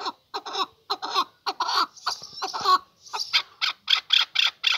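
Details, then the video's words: Male chukar partridge building a call: grating, uneven clucks at first, then settling into a quicker run of sharp, regular chuck notes. "Kınalı erkek keklik sesi"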